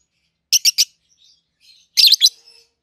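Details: Peach-faced lovebird pair, 7-8 months old and bred in captivity, red-headed green opaline and red-faced dark green, gives three loud harsh chirps, a brief pause with soft twitters, then a tight rapid cluster of shrill notes.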